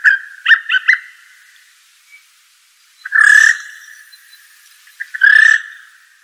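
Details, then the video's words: Blue jay (Cyanocitta cristata): three quick clicking notes open, followed after a gap by two loud, clear, slightly rough whistled notes about two seconds apart. "Blue Jay.Bird Song.(Cyanocitta cristata)."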